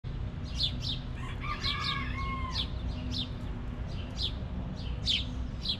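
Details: Backyard chickens in their coop: one drawn-out, harmonic rooster crow lasting over a second near the middle, with sharp, high, downward-sweeping chirps of small wild birds repeating throughout over a steady low rumble.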